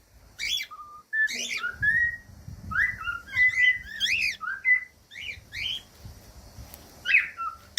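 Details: Cockatiel singing, played to help other cockatiels learn to sing: clear whistled notes and rising chirpy phrases in quick varied sequence, loud and close, with brief pauses between bursts.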